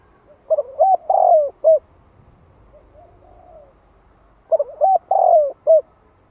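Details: Spotted dove used as a lure in the 'gáy gọi + thúc' style to excite wild doves: two full rhythmic coo phrases about four seconds apart, with a faint softer coo between them in the otherwise quiet gap.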